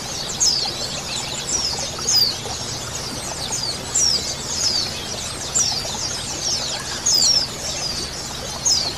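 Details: A colony of female and male white-eyes gives thin, high, sweet chirps and short twittering phrases, overlapping in bursts every second or so over a soft background hiss.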